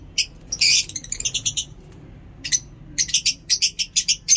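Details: Lovebirds in awesome weather in Peshawar, giving sharp high chirps in short bursts, one harsh broadband screech near the start, then a steady run of evenly spaced chirps about four per second.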